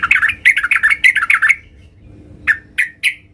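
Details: Sooty-headed bulbul female calling the male: a rapid, busy chatter of squawky notes for a second and a half, then silence and three separate sharp chirps.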